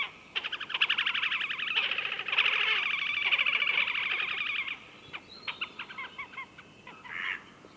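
Slavonian grebe giving a long, fast, nasal rippling trill for about four seconds, then a few shorter squeaky notes and brief trills.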